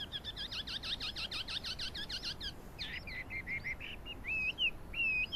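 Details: Chinese hwamei singing, recorded 12 April 2009: a fast series of buzzy, rasping repeated notes, then scattered sliding whistles, somewhat quiet against background hiss.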